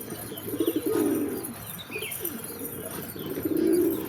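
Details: Low, throaty pigeon coos in two bursts, each a rolling, slightly descending purr, with soft high chirps of other birds behind.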